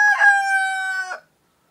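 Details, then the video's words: Rooster of a laying breed, a male chicken, crowing, a call said to signal that morning is beginning. The clip opens mid-crow on a loud, rich note held level for about a second, which ends in a brief falling flourish and then silence. "SUARA KOKOK AYAM PEJANTAN // the sound of a rooster crowing"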